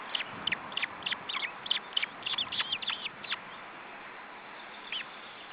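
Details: Estonian osprey nest, June 2012, with chicks being fed: a burst of high, slurred peeps, some doubled, for about three seconds, then near quiet with one last squeak.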